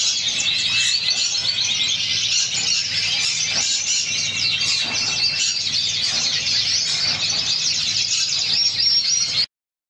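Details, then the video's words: Canary of the Spanish Pheao type singing rapid, rolling trills and chirps at a quick pace for about nine seconds, then the song cuts off abruptly. "SPAIN PHEAO CANARY SINGING"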